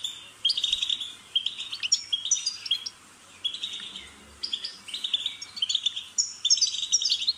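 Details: European goldfinch delivering bursts of bright, jangling twitter separated by short silences, each phrase a quick string of chirps and slurred high notes, offered to prompt a pet bird to sing.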